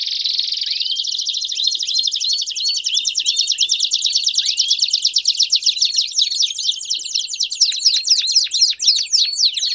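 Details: Several Belgian canaries in full song together, a thick wall of high, rapid trills and ticking notes that grows busier and more clipped toward the end, the birds' phrases overlapping continuously.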